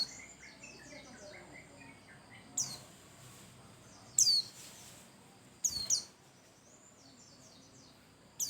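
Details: Pleci (white-eye) song used as a lure to prompt other birds to sing: sparse, very high, sharply descending whistled notes in short bursts at irregular intervals, with faint twittering between them over a steady hiss.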